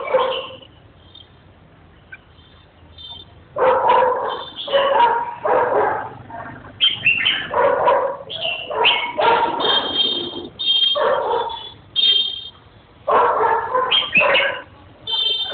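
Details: Red-whiskered bulbul singing rapid, loud, chattering warbled phrases in near-continuous bursts with brief pauses, and some sharp high notes between phrases, after a quiet opening of about three seconds.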